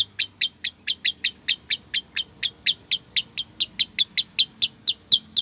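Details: Female lovebird konslet call in the 'tired tone', meant as a master recording for young lovebirds to imitate. A fast, steady run of about twenty-four shrill, metallic chirps, roughly four to five a second, holds even loudness throughout.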